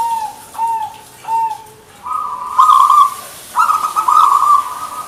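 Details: Zebra dove, the local perkutut, in manggung song: three soft, short coos about half a second apart, then two long, loud, rolling coo phrases with a gritty texture.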